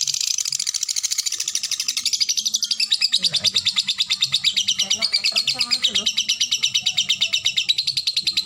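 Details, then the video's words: Lovebird performing ngetik-ngekek song with short pauses: a long, fast, unbroken high chatter of rapidly repeated notes lasting over eight seconds, with men talking quietly beneath. "Love bird ngetik ngetik ngekek durasi jeda rapet."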